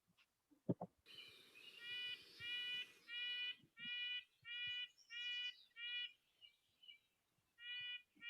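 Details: A Red-breasted Nuthatch in Montana arboreal habitat gives its repeated nasal calls, about a dozen tinny 'yank' notes, roughly one every half second, after a couple of low thumps.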